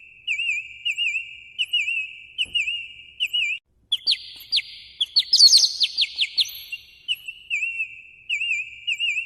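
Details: Morning bird song. A wavering whistled note repeats about every seven tenths of a second, breaks off, and gives way to a burst of fast, sharp chirps before the wavering whistles return.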